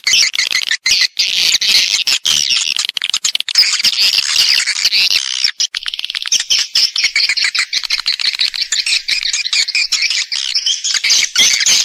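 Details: Swiftlet calling and roosting sounds in stereo: a continuous, dense, high twittering and chattering from many birds, with hardly any pause across the whole stretch.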